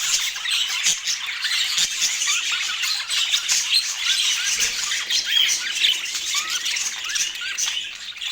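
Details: A flock of budgerigars at a meal in natural Scandinavian light, with high squeaky warbles and short rising chirps layered over continuous flock chatter.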